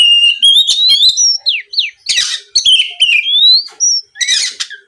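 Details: Oriental magpie-robin singing a lure song to goad rivals into replying: a flowing string of bright whistled phrases with quick down-slurred notes, broken by rasping buzzy bursts roughly every second.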